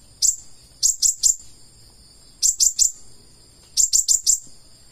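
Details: Purple-throated sunbird in gacor full isian song: three bursts of very high, piercing ticking notes, each burst holding three or four rapid chips, with about a second of quiet between bursts.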